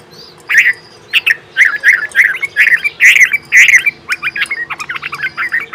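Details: Bulbul feeding and calling her twin chicks: a busy, loud stream of short chirpy and squawky notes, some rising, coming in quick bursts and growing faster toward the end, over a faint low hum.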